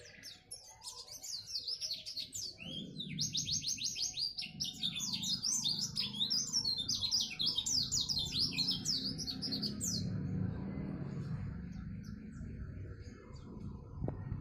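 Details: A pleci, the oriental white-eye, that won a neighbourhood-level contest sings an energetic burst of high, rapid chattering whistles for about ten seconds, then falls quiet. Low background noise continues throughout.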